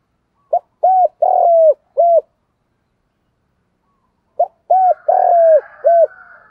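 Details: Male and female spotted dove calls used as a lure for wild doves: two phrases a few seconds apart, each a short clipped note followed by mellow arched coos and a long, sustained coo, with faint extra bird tones near the end.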